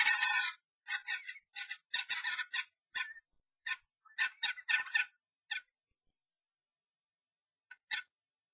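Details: Fierce nest-box fight among three common starlings after a stranger enters a pair's box; rapid series of scratchy, grating squawks and chatters tumbling over each other for five seconds, then sparse short rasps with quiet gaps.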